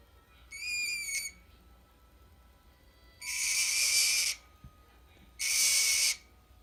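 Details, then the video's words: Green-cheeked conure kept as a pet: one short whistled note, then two loud raspy screeches of about a second each, separated by quiet pauses. "Green Cheek Conure making noises"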